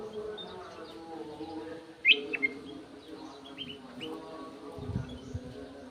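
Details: Golden-fronted leafbird kept in an aviary, giving clear song: scattered short, sharp whistled chirps, one loud upslurred note near the middle followed by quicker twittering notes, over a steady low hum.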